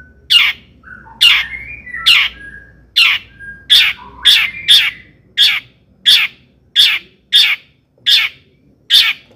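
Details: Long-tailed shrike in lively song, used as a lure to excite other shrikes. Loud, rasping, chattering notes repeat steadily about every two-thirds of a second, with brief thin whistles between them.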